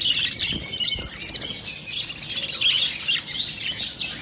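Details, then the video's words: Lovebirds chattering together: continuous high, scratchy chirps and squeaky squawks overlapping, with a quick rattling burst near the middle. "love birds sound"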